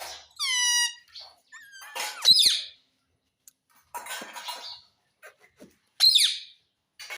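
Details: Pet rose-ringed parakeet, a talking parrot said to say "mummy"; bursts of high, squeaky harmonic notes and a short descending whistled tone, separated by quiet gaps.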